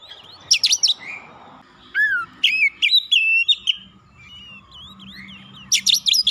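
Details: Rival-provoking oriental magpie-robin song with loud, sharp chirp bursts and clear whistles, some falling in pitch. Quieter warbled notes fill the gaps. A steady low hum runs in the background.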